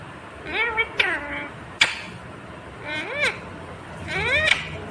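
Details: Talking green ringneck parakeet repeating "mummy papa" in three short, shrill, voice-like phrases with arching, rising-then-falling tones and a couple of sharp clicks between them, over a faint low hum.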